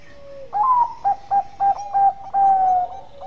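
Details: Bangkok-type zebra dove cooing to draw rivals into calling, in a vocal mood: one long clear note, then four quick clipped notes, then a long level note and a softer tail, tonal and mid-pitched over a faint steady background tone.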